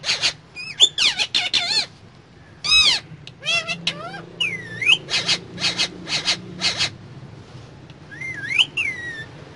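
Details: Parrot vocalising inside a car, mixing short raspy chattered syllables with looping rising-and-falling whistles and a final upward whistle, over a constant low vehicle rumble.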